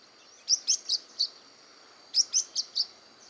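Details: A Blue-winged parrotlet gives two short bursts of four bright, high-pitched chirps about one and a half seconds apart, each note clipped and slightly buzzy, over a soft background hiss.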